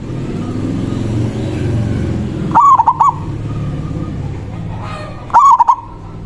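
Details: Local zebra dove calling a rival with its manggung song, played as a lure: two stuttering bursts of throaty coos about three seconds apart, following a stretch of low rumbling background noise.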